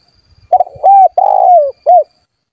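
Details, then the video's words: Lively spotted dove calling to challenge rivals into singing, used to attract wild doves: soft stuttered pair of notes, a level hollow coo, a long vibrating coo falling in pitch, then one clipped final coo. "SUARA BURUNG TEKUKUR GACOR MEMANGGIL LAWAN AGAR BUNYI"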